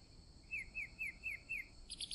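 Chalk-browed mockingbird singing five quick, bright, slurred notes, about four per second, over a steady high insect drone that swells into a buzz at the end.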